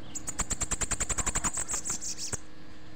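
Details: Bananaquit recorded on a Sunday at 10:25, giving a fast run of about sixteen sharp, very high ticking notes that speed into a brief trill and stop after two and a half seconds, with a faint steady hum behind.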